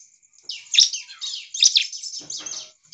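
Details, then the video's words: Bar-winged prinia in full song, said to provoke other prinias into singing: high, scratchy, rapid chattering bursts with sharp squeaky notes, delivered in energetic phrases about every second. "CIBLEK GACOR ini Cepat memancing ciblek lain langsung ngamuk dan ikut gacor"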